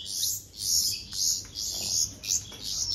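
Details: Hand-fed baby bulbuls beg with loud, raspy high chirps in repeated bursts about every half second, with a faint thin whistle at times.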